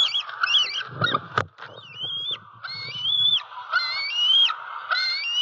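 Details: Six-month-old juvenile female bald eagle perched in its nest tree beside a pond in Southwest Florida, 4 October 2020, calling for breakfast: a run of high, whistled, slightly rising calls with harmonics, several close together, over steady background hiss and low thumps.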